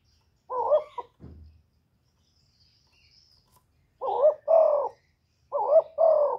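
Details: Cà Mau spotted dove calling to stir decoy birds: three low cooing phrases, each a short note quickly followed by a longer rolling one, separated by pauses, plus a soft thump early on.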